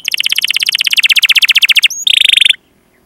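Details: Canary singing for a training recording used to prompt other canaries to sing: a rapid buzzy trill of evenly repeated notes, a brief pause, then a shorter, higher rolling trill ending abruptly in quiet.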